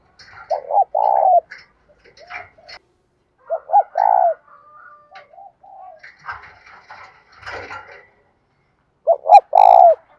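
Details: Bài bản bổi cooing of a spotted dove, for getting captive doves to sing. Three phrases of two brief notes and a longer coo are spread over ten seconds. Chirps and twitters of other birds fill the gaps.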